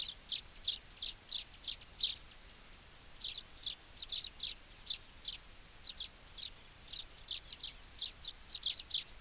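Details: Baya weaver giving rapid, high, sharp chirps in quick runs, separated by a short pause, over a steady hiss of background noise.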